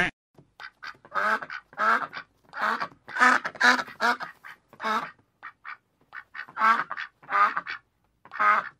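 A duck quacks repeatedly: harsh, nasal quacks, some single and some in quick pairs or runs, about a dozen over nine seconds, with no other sounds.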